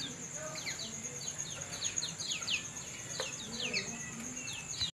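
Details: Tame lemon-bellied white-eye out of its cage sings a lively stream of high, sharply falling chirps in clusters, with a constant thin high-pitched whine in the background and a low rumble.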